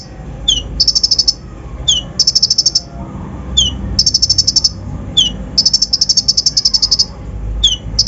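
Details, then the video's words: Lure song of a kolibri ninja meant to stir other birds: short downslurred chip followed by a fast, high buzzy trill, repeated about every one and a half seconds, low hum beneath. "PANCINGAN KONIN BAHAN FULL ISIAN KASAR COCOK UNTUK MENAIKAN EMOSI BURUNG BAHAN"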